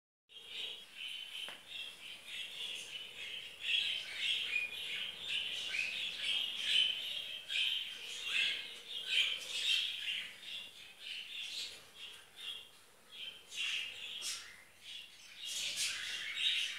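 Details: Baby budgerigars in a basket keep up a steady, raspy chatter of high, scratchy chirps and squawks.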